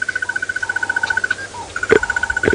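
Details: Around sunrise on 26 December 2017 in Djuma Game Reserve, Sabi Sand, South Africa, a hidden Crested Barbet in a nearby tree gives a long, even trill like a ringing alarm clock, about ten pulses a second; a fainter lower whistle and knocks sound nearby.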